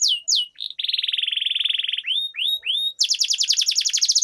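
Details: Canary song for getting canaries to sing and roll; two falling sweeps, a long even buzzy trill around 3k, a few rising slurs, then a fast high pulsed series.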